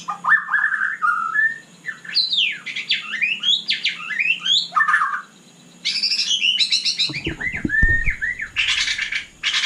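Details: Murai batu, or white-rumped shama, in full night song: quick zigzagging whistled notes and slurs flow almost continuously, followed by harsh high buzzy bursts, with a brief low rumble near eight seconds.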